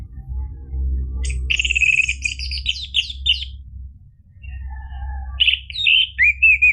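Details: Orange-headed thrush song played as a lure to get a caged bird singing: rich varied phrases of whistles and rapid trills, a first burst, a pause, then clearer whistled notes, over a steady low hum.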